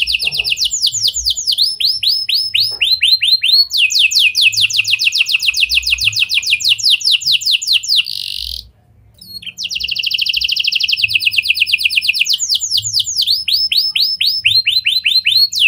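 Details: Canary song in lovebird and prenjak style, meant to get other canaries singing at length: long dense rattling trills alternate with rising swept notes, one brief pause midway, continuing energetically.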